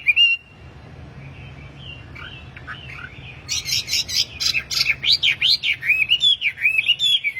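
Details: Tame caged wambi singing lively, used as a master song to lure and train other caged wambi; high whistled, wavering notes, some rising and falling, then a fast run of bright chirps repeated about twice a second.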